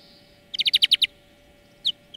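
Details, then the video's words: Greenfinch song for bird training: a crisp trill of six evenly spaced ringing notes lasting half a second, followed after a pause by a single downslurred chirp. "Florya Ötüm Dersi"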